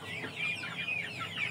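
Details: A crowd of chickens giving piercing, high peeps, some held briefly as thin whistles, others dropping quickly, packed closely together.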